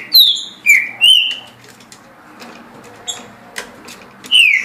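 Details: Caged green-winged saltator singing at 17 songs per minute: three loud whistled downslurred notes at the start, a quiet stretch of clicks and rustling, then one more falling whistle.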